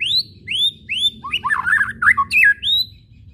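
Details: White-rumped shama giving rising whistles followed by a fast, harsh chattering burst (kretekan), then another upslurred whistle; the recording serves as a lure to make shamas sing. Steady low hum underneath.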